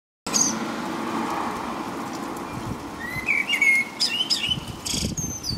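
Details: Common blackbird singing in the rain in the middle of the night, around 5 a.m., in England; one low fluty warbled phrase ends in a thin high twitter, over steady rain hiss and a low rumble.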